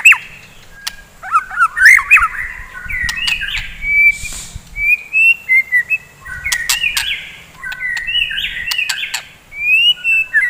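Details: White-rumped shama singing in the morning, used to rouse fighter birds: a varied run of clear whistled phrases, slurred and rising, mixed with sharp clicks and short notes, almost continuous over ten seconds.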